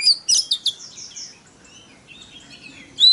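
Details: White-rumped shama song used to provoke other shamas: a burst of sharp, high chirps and whistled notes in the first second, a fainter stretch of softer warbling, then a loud whistle at the end.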